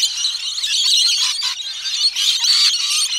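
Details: A rainbow lorikeet flock gives busy, dense, overlapping high screeches with tinkling, musical and squawking calls running without pause, ranging from medium-close to background birds.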